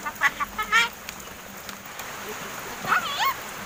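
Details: Captive seven-month-old crested myna, hand-raised for over seven months and starting to talk; two bursts of speech-like, harmonic chattering syllables at the start and near the end, separated by a quiet gap.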